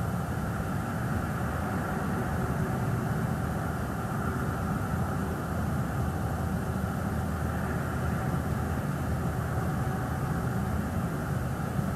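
Steady low rumbling noise like a distant engine or wind on a night nest camera, with no eagle calls or other animal sounds heard.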